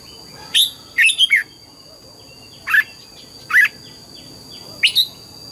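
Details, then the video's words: Red-whiskered bulbul in training, singing in the morning: short, rich, warbled phrases of two to four notes, separated by pauses of a second or more, over a steady faint hum. "Luyện giọng chào mào hót sáng, ép chào mào hót âm kép già rừng hay tuyệt!"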